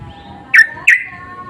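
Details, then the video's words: Sooty-headed bulbul giving lure calls answered by others, an insistent voice: two short bright notes, each dropping quickly, about a third of a second apart. "Pancingan dan panggilan burung trucuk saling bersahutan❗suara ngotot"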